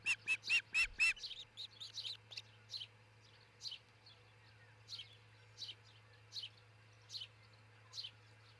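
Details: Osprey pair at their nest near tree tops in Charlo, Montana, caught by a nest camera just before 5 a.m. on 22 June 2018: four loud, sharp whistled notes in quick succession, then softer high chirps repeating about every three-quarters of a second.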